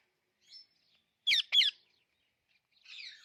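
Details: Two loud, abrupt squawks close together from an Alexandrine parakeet, between faint raspy chatter before and after.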